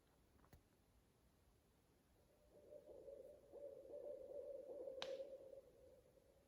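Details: Loud owl calling after sunset near a crackling campfire at a national forest campsite; a drawn-out steady note building over about three seconds with a faint waver, echoing, with a sharp fire pop midway.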